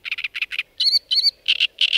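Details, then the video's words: Great reed warbler, a reed-bed bird of lowland ponds and marshes in Slovakia present late April to September, sings loud, grating, frog-like notes in doubled bursts, alternating with higher, squeakier phrases in a fast, jerky rhythm. "Čo sa to tu ozýva? Spoznaj naše vtáctvo: trsteniarik veľký - Great reed warbler"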